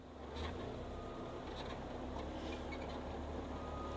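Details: Low engine rumble and steady electrical hum with faint scraping, and no animal calls heard.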